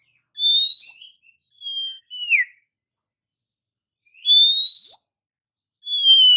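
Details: Oriental magpie-robin song used to provoke rivals: widely spaced, clear whistles, some rising and some falling, with a short dropping note, separated by quiet gaps of about two seconds.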